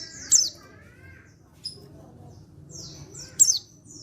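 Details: Male white-eye from Pacitan calling to prompt other white-eyes to answer: bursts of very high, thin, sharply descending chirps at the start and end, with a brief lower warbled phrase and a short high note between them.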